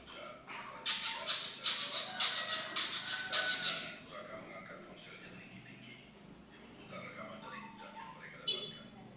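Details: Coucal chicks begging: harsh, raspy, hissing bursts repeated rapidly, roughly four per second, loudest in the first few seconds and then fading to quieter scattered rasps, with a brief sharp note near the end.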